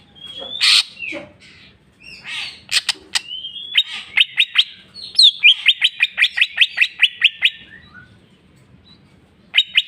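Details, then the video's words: Greater green leafbird delivering its full jamtrok bongkar isian song: a loud burst, slurred whistles, then a long rapid series of some fifteen sharp clicking chips over a steady tone. "cucak ijo mewah ful jamtrok bongkar isian"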